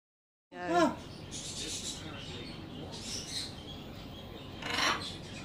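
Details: A female Blue-and-gold Macaw gives one brief, nasal, wavering call, followed by scratchy rustling and a few soft, breathy noises.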